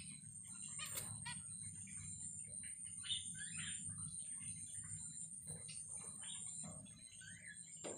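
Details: Night in a minimalist plastic-plant aviary holding a pair of zebra finches: scattered short nasal notes and chirps, some falling, irregularly spaced, with a constant high whine and low background hum.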